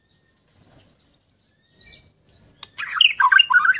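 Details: A white-rumped shama from Sabah, Borneo, calling in a relaxed state, gives three clear, high whistled notes about a second apart, then breaks into a rich, fast run of varied warbled and chattering phrases.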